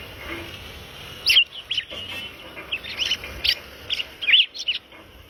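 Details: Red-crested cardinal giving short, bright chirped notes and quick whistled phrases in scattered bursts, several loud sharp notes near the end, over a steady faint background hiss.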